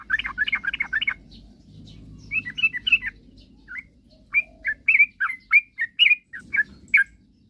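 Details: Lure song for making rival birds sing: a yellow-vented bulbul gives a fast burst of chattering notes, a quieter pause, then clear, spaced, whistled chirps rising and falling.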